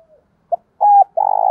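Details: Decoy spotted dove calling: after a faint falling tone, a short pip, a steady level coo, then the start of a rapidly pulsed, rattling coo.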